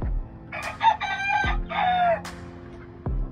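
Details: Farm-kept Grey Kelso Albany chicken giving a hoarse crow in several harsh, broken segments, the last drawn out and falling slightly, with music and deep beats playing throughout.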